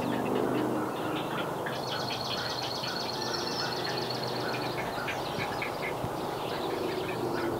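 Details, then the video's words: Great blue heron nestlings at a nest in north-central Massachusetts, USA, calling to parents that fly in with fish; a rapid, dry ticking chatter of repeated clicking notes over constant heavy background noise. "Great Blue Heron Babies | Eating | Calls"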